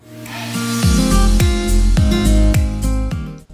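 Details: Loud rhythmic music with pulsing bass beats and sustained tones. No animal sound can be picked out.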